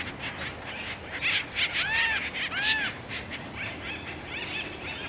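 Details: Acorn woodpeckers during mating season, squabbling across three trees at Effie Yeaw Nature Center, 2025, filmed on a Sony FX3; two loud nasal arched calls stand out near the middle among scattered softer chatter.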